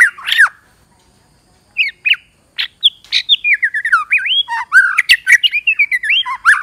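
A female white-rumped shama gives a harsh squawk, then a rapid run of varied whistled and slurred rising-falling notes, several per second; no other sounds.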